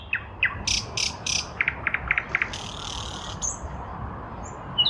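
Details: Nightingale in a lilac bush in spring 2023 sings a varied phrase: loud broad clicking notes, then a rapid series of short sharp notes, a buzzy rattle and a high whistle, against a hissing background.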